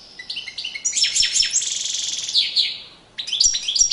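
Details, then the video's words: Singing European goldfinch during courtship display, pouring out a continuous stream of high, sparkling twitters and a buzzy rattling trill, a brief pause, then fresh tinkling notes. "Magnifqiue chant une parade nuptiale تغريد رائع"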